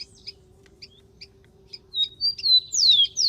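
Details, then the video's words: Wild rufous-collared sparrow singing: after a stretch of soft scattered chips, a series of clear whistled notes rises and then sweeps steeply downward, growing louder toward the end. "MASTERAN.BURUNG KICAU"SPARROW RUFOUS"(KICAU MANIA)Full Gacor di alam liar."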